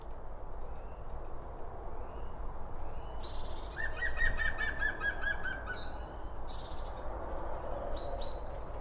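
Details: Birds feeding and chirping at a feeder in a binaural recording: thin whistled notes, then a quick rapid trill of repeated notes near the middle, with more high chirps after it and a constant low background hum.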